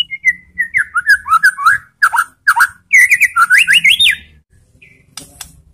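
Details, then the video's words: White-rumped shama bait song (pancingan) meant to provoke other shamas into answering: a fast run of varied whistled phrases, slurred rising and falling notes in quick bursts, ending after a pause in a short buzzy tone. "MURAI BATU apapun akan jadi GALAK NYAUT ¦ PANCINGAN MURAI"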